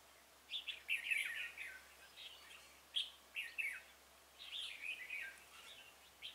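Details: Red-whiskered bulbul singing during a trapping session for a wary wild bird on 26 February 2018, a decoy luring wild birds; short bubbly, warbled phrases in three bursts about two seconds apart, with quiet gaps between.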